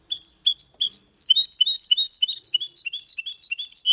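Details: Clean, error-free song in the Malaga style from a goldfinch crossed with a canary: spaced high tweets lead into a steady, rapid chain of bright, downslurred whistles and chirps. No other sounds.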